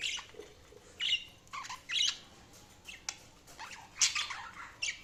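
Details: Budgies chattering with short scratchy chirps roughly every second, some rising whistled slurs and sharper squawks near the end, over faint background hiss.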